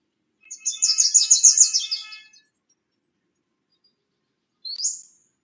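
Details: Bewick's wren at a nest box, busy carrying nesting material: a rapid, rattling, high buzzy trill of about ten pulses, then silence and a single thin upslurred note.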